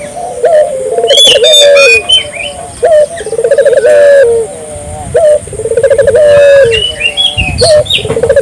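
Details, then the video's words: Vigorously calling Barbary dove, meant to prompt local doves to join in: trilled low coos repeated about every second or two, mixed with sharp high chirps and whistles from other birds. "suara burung puter gacor,merangsang burung puter lokal ikut gacor"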